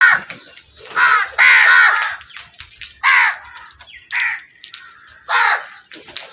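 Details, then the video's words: Black crows calling: a series of harsh, grating caws, several drawn out and some short, in bursts roughly every second or so, each loud and raspy with little else heard behind them. "Wonderful Black Crows Feats | Crow Sounds"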